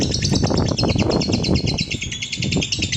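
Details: Ngekek panjang long trill of a lovebird, meant to provoke and train other lovebirds: an unbroken rapid rattling chatter, high and buzzy, over strong low rumbling background noise.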